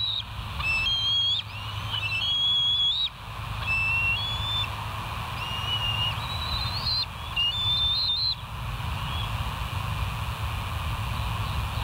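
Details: Bald eagles at the West End nest, 15 July 2023 near 04:58: scattered thin, high whistled chirps and short piping phrases, irregularly spaced, over constant low-pitched hum and rumble.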